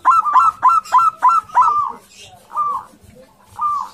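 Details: Courting male zebra dove of a local strain, aggressive and loud: a fast string of six clipped coos followed by two long, separate trilling notes, with a low hum behind.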